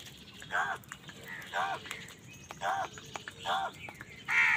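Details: Crows calling while fighting other wild birds for food; five hoarse, arched caws spaced about a second apart, fainter and partly masked, with other bird calls in the background.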